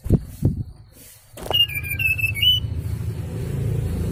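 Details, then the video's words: Sooty-headed bulbul lure sound used for bird trapping: a short series of clear whistled notes, falling then rising at the end, heard after some knocks, over a steady low rumble. "SUARA PIKAT BURUNG SRDC"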